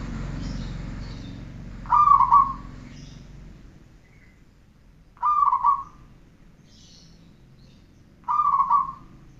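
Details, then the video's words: Zebra dove song used as a training recording: three evenly spaced, quavering coo phrases, roughly every three seconds, in otherwise quiet surroundings. "Masteran perkutut 1 jaman"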